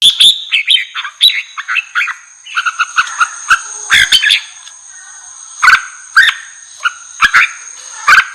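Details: Red-whiskered bulbul song meant to stir wild bulbuls: opening burst of quick warbled whistles, then sparser, lower phrases spaced about half a second apart, with sharp clicking knocks and a continuous faint high tone.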